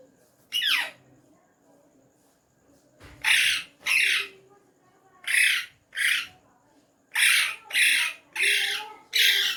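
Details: Ring-necked parrot, a hand-tame talking pet, saying words in Urdu/Hindi: a descending squeal, then a string of about nine rough, breathy spoken syllables in uneven groups.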